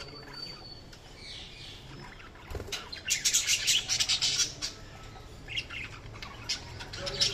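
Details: Budgerigar chirping: a quiet start, then a rapid run of squeaky, scratchy chirps in the middle and scattered notes afterward, with a low hum.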